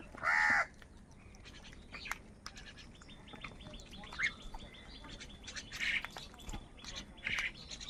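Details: Crows fighting for food: one loud, harsh caw opens, followed by fainter scattered caws and clicks against a steady noisy background.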